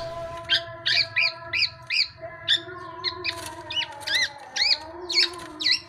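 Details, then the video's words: Tame black-naped oriole calling in a steady string of bright, arched chirps, some doubled, over a low steady hum. "KEPODANG EMAS JINAK GACOR"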